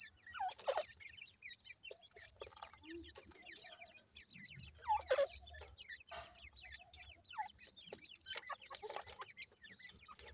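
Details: Francolin chicks calling while they feed: bursts of thin, squeaky chirps come in clusters, separated by loud rattling taps and pecking noises, with a soft low hum in the background.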